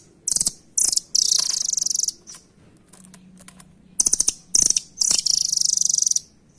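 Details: Velvet-fronted nuthatch, locally called rambatan, giving rapid, high, hard chattering trills in several bursts of about half a second to a second each, separated by short gaps, with faint clicks and low background hum between.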